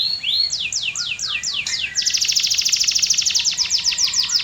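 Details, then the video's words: Canary song with a series of clear descending whistled slurs, about four each second, then a very rapid, high, buzzy rolling trill held steadily to the end. "REAL Canary Singing That Birds Love"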